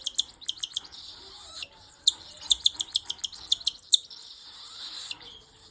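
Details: A cockatiel chick gives rapid, raspy, high chirps in quick bursts while begging during hand-feeding.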